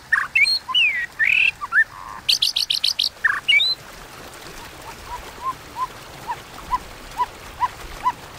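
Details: White-rumped shama fighting song, 'kéo thuốc lào' style, used to provoke rivals: three seconds of looping whistles and a burst of fast sharp high chips, then a series of soft, low, evenly spaced notes.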